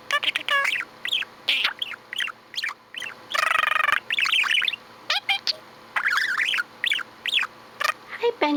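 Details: A budgerigar kept as a pet chatters almost nonstop in short, bright chirps and rising squeaks, broken by a harsh buzzy warble and dense scratchy twittering.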